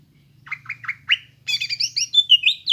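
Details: Greater green leafbird song used to encourage young birds: a few soft rising chirps, then a jumbled burst of high squeaky whistles and warbled notes.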